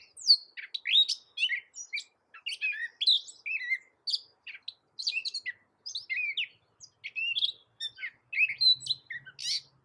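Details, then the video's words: A gray catbird, a North American songster said to mimic a cat, sings a long, jumbled run of squeaky, scratchy and whistled notes, each short phrase changing pitch with barely a pause; a faint low hum enters near the end. "Suara Masteran Burung Kecil Gray Catbird"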